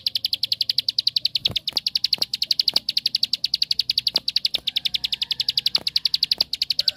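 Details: Lure song of a bar-winged prinia (ciblek sawah), meant to set other prinias singing: an unbroken, rapid, ringing trill of high chips about two a second per beat-cluster, continuing for seconds, with occasional soft clicks behind.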